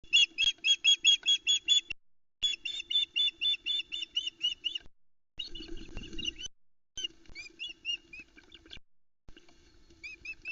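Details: Female osprey at a nest on Loch Arkaig, Scotland, on 4 July 2020, screeching while chicks block her from a whole trout her mate has delivered; rapid series of sharp, high, rising-falling screeches, about two per second, in bursts separated by short gaps.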